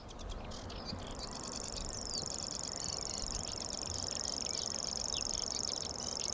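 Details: Male common grasshopper warbler (Locustella naevia) in a marshy reedbed in the Amsterdamse Bos, Netherlands, gives its high, unbroken, insect-like reeling song, which runs on without pause. It is active at dusk. Other small birds chirp and twitter behind it.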